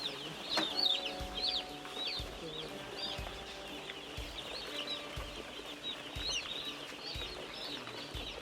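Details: Broiler chicks in a large group, peeping together in a dense chorus of high, rapid, chirping peeps. The peeps are loudest near the one-second mark, over a steady low mechanical hum with occasional soft thumps.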